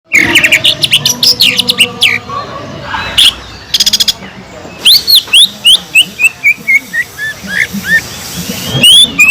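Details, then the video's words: Cucak ijo (green leafbird) in full song, used as a lure to rouse listless birds: a fast mix of rising whistled slurs and chattering notes, with a burst of rapid clicking ticks and a string of high arched whistles near the end. "PANCINGAN CUCAK IJO GACOR INI SANGAT EFEKTIF BUAT CUCAK IJO KURANG EMOSI"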